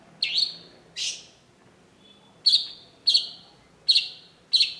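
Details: Long-tailed shrike, or cendet, in a lure song: six loud, harsh, grating notes in pairs, with a quiet gap in the middle.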